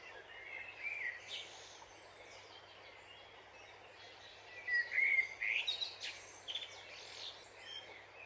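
A dipper gives thin, high chirps and short twittering phrases, in two bursts, over the steady rush of running water.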